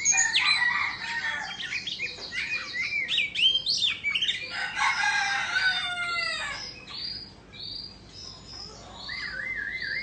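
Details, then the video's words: An Oriental magpie-robin of Indonesian stock, singing while dancing: busy chirps and trills, a rooster crow with falling tones midway, then clear separate whistles and a wavering, warbled phrase at the end. "Choè Than Indo hót múa xoè"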